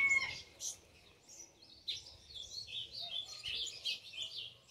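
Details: Singing ultramarine grosbeak, described as fiery: a clear whistle opens, then a rapid run of high, varied warbled notes continues to the end over a faint low hum.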